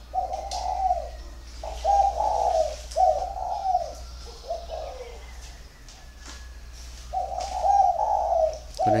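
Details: Male spotted dove, one and a half years old, from a dove-keeping garden in Ba Vì, Vietnam, giving competition cooing: low, hollow coo phrases repeated in quick bursts, with short pauses between groups, against a faint background hum.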